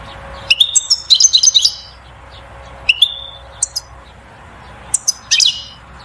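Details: European goldfinch twittering to excite the female toward mating and nest building, a jumbled phrase of high tinkling chirps followed by scattered single sweeping notes and a short closing burst.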